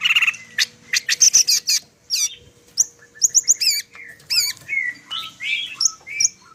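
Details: Greater green leafbird, Medan variety, delivering a busy song full of imitations: a rattling run of quick high notes, then wavering whistled trills and smooth sliding tones, with a faint low hum beneath.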